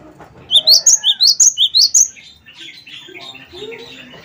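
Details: Gelatik batu played to prompt other birds into song: a quick burst of seven high, rising chirps in even rhythm, followed by softer scattered twittering and low background chatter.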